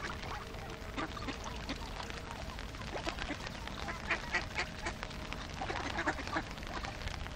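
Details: A flock of about fifty hungry ducks keeps up a continuous mass of rough quacks, calls piling over one another in irregular bursts against a steady low background hum.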